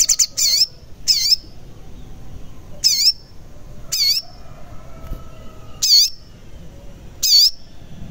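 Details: Lure recording of the crimson sunbird (sogon) for making quiet birds answer. It gives harsh, wavering, high squeaky notes, sometimes doubled, repeated every second or so.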